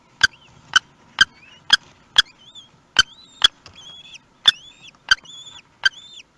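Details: Kestrel nest in Théding, France, 18 May 2021, first chick just hatched: sharp loud clicks or taps about twice a second, mixed with thin, arching whistled calls, rising then falling, in the quiet gaps.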